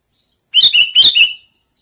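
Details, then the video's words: Sooty-headed bulbul giving a loud, close phrase of four quick, liquid chirps in under a second, bright and bubbly, against a silent background. "Suara burung kutilang panggilan"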